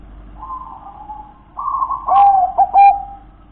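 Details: Local wild-type zebra dove: quiet purring coos swell into a louder rolling phrase, then finish with a run of three clear, bell-like coo notes.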